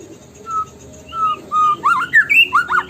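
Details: White-rumped shama song meant to trigger singing: a few drawn-out level whistles, then a burst of fast slurred and looping notes.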